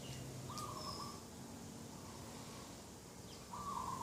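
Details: Dove cooing at a garden edge on a morning of 2 October 2021: two even, slightly trilled notes about three seconds apart, with a low mechanical hum and thin high chirps from other birds.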